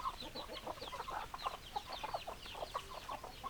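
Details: Chickens clucking in a flock: dense overlapping short clucks and chattering notes, several birds calling at once and almost continuously, with brighter squeaky notes mixed through.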